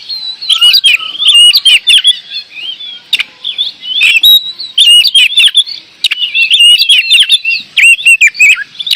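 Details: Oriental magpie-robin (kacer) from Indonesia singing 'gacor door': fast, dense strings of looping whistles and sharp clicking chips in energetic bursts, separated by a few brief pauses.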